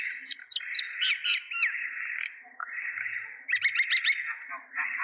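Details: Mynas in Kulaura, Moulvibazar, Sylhet, Bangladesh, chattering in a dense, continuous jumble of harsh squawks, whistles and rapid chirps, several birds calling over one another.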